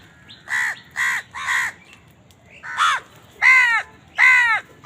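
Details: Crow feeding and squabbling over food, giving harsh nasal caws in two bursts: three quick caws, a pause, then three louder, longer caws, each roughly half a second apart.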